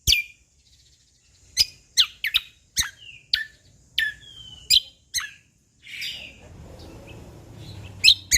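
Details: Sumatran leafbird of Lombok giving bright descending chirps and a drawn-out whistled slur, then a stretch of rustling noise before two last chirps.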